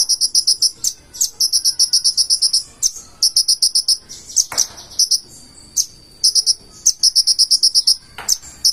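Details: Purple-throated sunbird, locally called konin, singing energetically in a full isian style: fast bursts of high, tinny chirps repeated about four per second, in short trains broken by sharp clicks and pauses.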